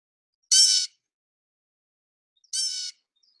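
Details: Blue jay (Cyanocitta cristata) gives two harsh, nasal, rasping, high-pitched 'jay' calls about two seconds apart, a call that says its own name; nothing else audible.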